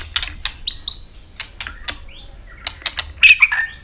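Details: Robin, described as an Asian bird, singing: short whistled notes and slurred phrases near the top of its range, broken up by sharp dry clicks and ticks.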